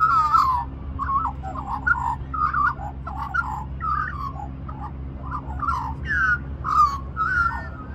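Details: At Cirillo Reserve, Middleton Grange, New South Wales, Australia, a small magpie begging for more mango at lunchtime warbles a continuous run of fluty, gurgling notes that rise and fall in quick phrases, over a steady low hum.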